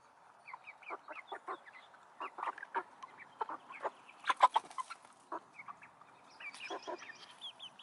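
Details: Chickens and roosters in a coop giving short, repeated clucks and squawks in quick irregular bursts, several birds calling over one another with a few louder rasping notes near the middle.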